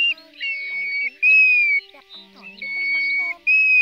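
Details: Pacific golden plover, recorded as a night-netting lure during the August 2024 migration: several long, clear whistled notes, each gently falling at the end, separated by short gaps, with quiet low drones in the background.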